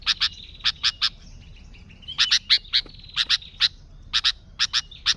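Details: Lively sooty-headed bulbul song meant for luring bulbuls: steady series of clipped, high chirps in pairs and triplets, with a brief warbled passage in the middle, continuing without pause.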